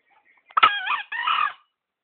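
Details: Tame green junglefowl, caught with a decoy in Gunungkidul and kept for three months, gives a single hoarse two-part crow lasting about one second. A harsh, rasping first phrase is followed by a brief gap and a shorter rough second phrase. The background is quiet.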